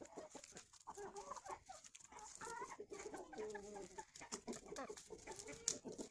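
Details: Several chickens feeding in the morning cluck steadily, with low, nasal, stepped calls overlapping one another. Dense clicking from pecking at food runs under the calls.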